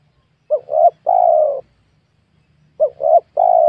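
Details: Spotted dove at a young oil palm plot, recorded while wild doves are lured. Two clear phrases, each of two short coos and one long, slightly descending coo, separated by a quiet gap of over a second.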